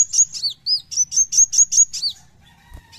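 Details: Kowul, or brown-throated sunbird, delivering besetan song: a quick run of piercing high chirps with downward-curving whistles, then a brief pause and a faint lower tone at the end.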